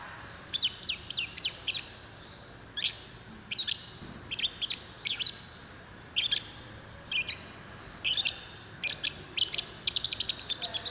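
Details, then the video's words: Lovebird call used to prompt another lovebird to sing: rapid series of sharp, high-pitched chirps and squeaks delivered in quick clusters of two to four notes, repeated steadily throughout. "Pancingan love bird paud"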